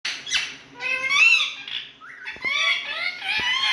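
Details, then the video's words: Pet Indian parrots at home in a talking mood: a rapid string of harsh, harmonic squawks and chattering syllables that rise and fall, with short pauses between bursts, recorded indoors in a small room. "Indian Parrots⚘️Full Talking🎉Mood In Home🏡"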